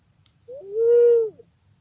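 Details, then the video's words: Pink-necked green pigeon (punai pink, walik ungu), a bird described as very sensitive, giving a clear whistled call: a short rising note, then a long steady mellow whistle that dips at the end, with a brief final note, over a quiet background. "Suara Burung Punai Pink ( walik Ungu ) Jernih dan Ampuh"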